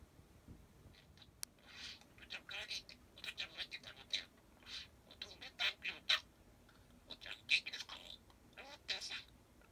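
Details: Pet parakeet indoors, chattering nonstop in the dark after the lights are switched off; it falls silent whenever a light comes on. Soft, scratchy, warbling syllables come in irregular bursts, with chirpy clicks and short squeaks.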